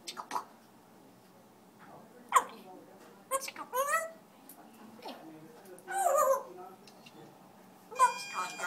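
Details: African grey parrot singing at home, giving scattered short harmonic squawks and rising whistles, some rapid and speech-like, separated by brief pauses in a small quiet room.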